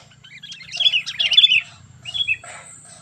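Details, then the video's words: Sooty-headed bulbul singing its fierce 'cengkram' style: a tumbling cluster of quick chirped and warbled notes, then a shorter follow-up phrase after a pause, with a faint low hum beneath. "poin cengkram burung kutilang super ganas"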